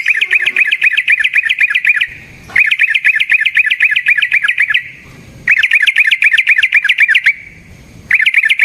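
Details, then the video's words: Yellow-vented bulbul in a long, rolling, combative song used to lure other bulbuls into singing. Rapid, buzzy, warbling chatter pours out in roughly two-second runs, four of them, separated by half-second pauses. "Suara Burung Trucukan GACOR ROPEL Panjang Ampuh Untuk PANCINGAN TRUCUK"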